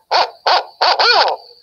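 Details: Barred Owl heard calling in the evening, whose call is rendered 'who cooks for you': four quick, slightly nasal hoots in about a second and a half, the last one longer and sliding downward; nothing else is heard.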